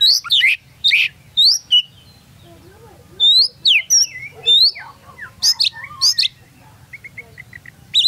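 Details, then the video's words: Champion caged Oriental magpie-robin recorded close up beneath its hanging cage at a bird-song competition, the DanBrigif Cup in Singkawang; loud high whistled and sharply slurred phrases in bursts separated by short pauses. "Testing Vokal Kacer SNIPER Di Bawah Gantangan"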